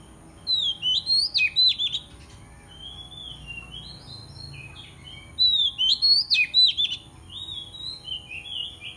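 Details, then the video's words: Aggressive White-rumped shama challenging a rival, used as a lure to call opponents: two bursts of quick, sharp high whistles and chirps about five seconds apart, each followed by softer warbled notes, over a low steady background hum. "Denak Murai Cacing Galak - Kacer Gacor Cari Lawan"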